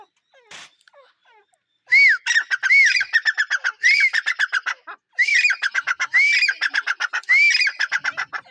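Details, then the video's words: A grey francolin gives loud, harsh repeated phrases, each a rising squeal followed by a rapid ratchet of clipped notes, in three bursts over several seconds. "Teeter sounds | teeter voice | teeter awaz | grey francolin | natural Bird teeter"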